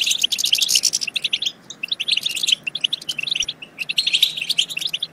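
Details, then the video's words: Twittering song of the European goldfinch, played to prompt goldfinches to sing and mate: quick sparkling bursts separated by short silences, starting again in lively runs. "بتبتة تجنن الحسون وتفقده العقل بتبتات خرافية في تحفيز الحسون على التغريد بتبتة تخرج حسونك عن السيطرة"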